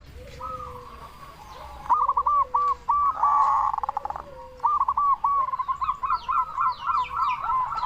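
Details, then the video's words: Local zebra dove with a big voice, used as a lure to make other zebra doves answer: after a quiet start, rapid bursts of short, clipped cooing notes repeat in quick staccato runs. A faint buzzy background is also audible. "Perkutut Lokal Gacor SUARA BESAR Ahlinya Bikin Semua Burung Perkutut Langsung Nyaut"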